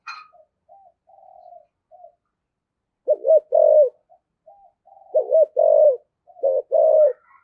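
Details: Spotted dove used as a decoy, cooing in 'giọng thổ' voice with 'thúc gù' urging: faint soft notes at first, then loud, deep, rounded coos in pairs after three seconds.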